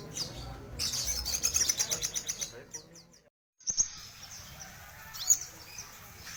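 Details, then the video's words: Crimson sunbird singing actively, a rapid run of sharp high ticks for about two seconds, then a pause and a few scattered thin chirps. "Burung sogon gacor full 2020"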